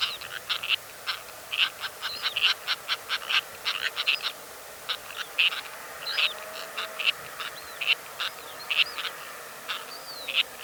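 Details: Sociable Lapwings in Kazakhstan, one recording of one or two birds and one of a small flock of eight, give rapid series of short, harsh, chattering calls, several birds overlapping, with a few sharper rising notes mixed in.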